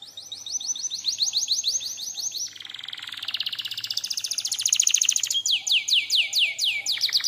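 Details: Canary song played as a lure and master tutor recording: rhythmic downward-sweeping notes, a buzzy rapid rattle in the middle, then clear descending slurs repeated quickly.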